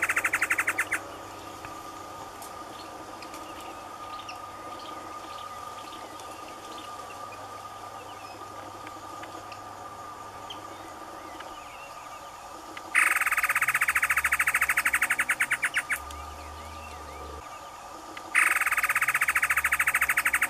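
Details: A male great antshrike in the caatinga sings loud bursts of rapid, pulsing notes against a steady background hum and faint chirps.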